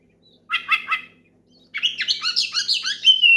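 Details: Oriental magpie-robin giving a loud song to provoke a rival and start others singing: three scratchy chirps, a brief pause, then a fast tumbling run of varied whistles ending on a clear sustained note.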